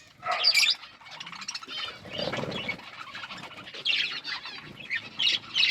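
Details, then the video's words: Budgies chirping as they eat food: irregular high squeaky chirps and warbles, with a lower rustling or scraping sound midway and bright chirp bursts near the end. "Parakeet eating food budgies chirping sounds"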